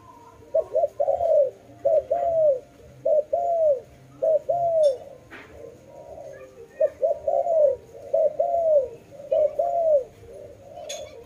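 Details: Dove calling with a series of soft paired coos, a quick lead-in note and a longer arching coo, repeated about once a second across two bursts separated by a brief lull.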